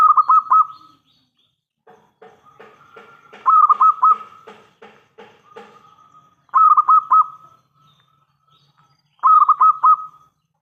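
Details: Zebra dove of local stock with a big, clear voice, used as a lure so other doves reply: several quick bursts of bubbling, evenly pitched coos, with a softer, lower pulsed series between them, then two more crisp bursts.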